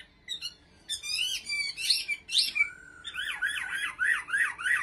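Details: Caged Chinese hwamei from Bình Định, Vietnam, giving harsh, scratchy notes followed by a fast series of about eight repeated wavering whistles; quiet room background.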